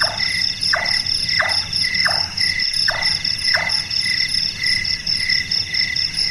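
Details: Large-tailed nightjar, locally called burung tukang for its carpentry-like knocking, gives six quick falling chonk notes in two groups of three, with a persistent high insect drone throughout.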